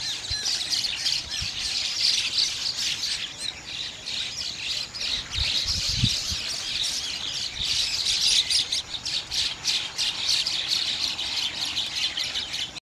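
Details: Bank mynas (Gang Shalik) in a group, birds that nest beside rivers: a steady din of harsh squawks and chattering chirps from many birds, swelling and easing in waves, with occasional low thuds.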